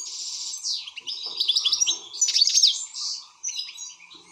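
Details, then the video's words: Agitated European goldfinch delivering a rapid, buzzy, jangling warble, harsh nasal notes mixed with twittered chirps in one continuous rush, with a low steady hum in the background. "حسون هائج"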